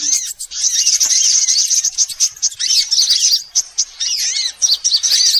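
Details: Sunbirds of several kinds, in a recording used as a bird-catching lure: dense, high, thin chirps and twittering trills run almost without pause, with a few short gaps.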